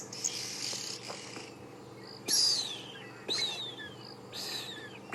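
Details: African grey hornbill at sunrise, 7 March 2016, Sabi Sand, South Africa, giving plaintive, mournful whistles, three high notes sliding downward about a second apart, after hissy chatter from oxpeckers, sparrows, drongos and orioles nearby.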